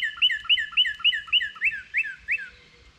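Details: Cardinals awaiting seeds beneath a feeder: one sings a rapid string of down-slurred whistles, about eight notes, whose pace slows and whose notes lengthen into steeper drawn-out slurs before fading.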